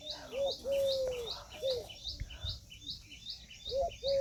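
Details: Peahen, a female Indian peafowl, giving drawn-out, level mid-pitched notes that drop at the end, some short and some about half a second long, spaced irregularly. Rapid high chirps from another bird repeat steadily throughout.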